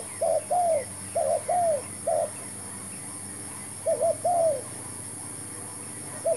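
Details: Spotted dove calling while a new decoy bird and a new trap are tried; paired coos and longer falling croos in bursts, then a two-second gap before the next phrase begins.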